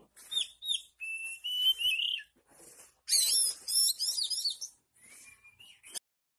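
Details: Harsh oriental magpie-robin song packed with long-tailed shrike imitations: sharp chips and a rising whistle, then dense grating, chattering phrases and a thin high whistle at the end.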